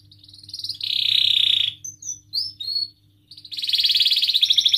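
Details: Canary song for prompting other canaries to sing: a loud buzzy trill, brief sparse whistled notes with a pause, then another fast buzzy trill.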